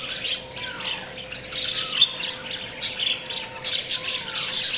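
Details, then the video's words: Pet budgerigars twittering continuously, a warbling stream of high scratchy chirps with a few thin rising whistles, loudness swelling and falling in short waves over a quiet hum. "Budgies Chirping sounds"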